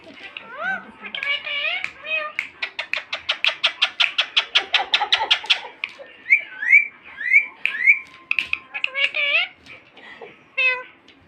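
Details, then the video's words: Sindh pet parrot: voiced word-like calls, then a long fast run of about twenty clipped repeated notes, followed by rising chirps and more speech-like syllables. "mithu bete full talk parrot"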